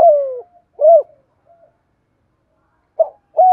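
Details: Decoy spotted dove of the "thổ" voice type. The clip opens with the tail of a long falling coo, then a rounded coo. After a quiet gap, a short note and another coo begin a new phrase.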